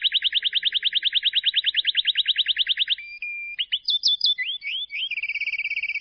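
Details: Lovebird ngekek for coaxing stressed or silent birds: a fast, even trill of sharp chirping notes lasting three seconds, followed by scattered whistled chirps and a closing rapid ticking trill.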